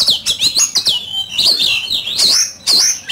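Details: Oriental magpie-robin in fine condition singing fiercely in a song duel: loud, varied whistled phrases, sliding and rising notes interspersed with sharp clicks and brief chirps, delivered in a continuous rapid stream.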